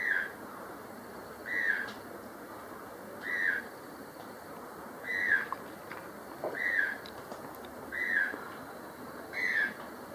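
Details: Secondary forest at Acacías in Colombia's Meta department, where a White-throated toucan gives a steady series of seven yelping, downslurred notes roughly every one and a half seconds, over constant background hiss.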